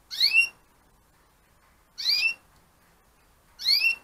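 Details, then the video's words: Gloster canary breeding pairs set up for 2015, calling three times at steady intervals of roughly one and a half seconds; each note is a short, sweet, upward-slurred chirp with bright overtones, with no other sound. "2015 Glosters Breeding - Pairs"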